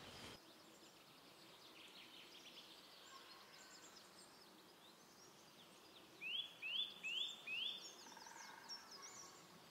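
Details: Eurasian nuthatch in woodland at Lage Vuursche, Netherlands, in breeding season, gives its clear, ringing call of four rising whistles in quick succession, about two per second, over faint other birds.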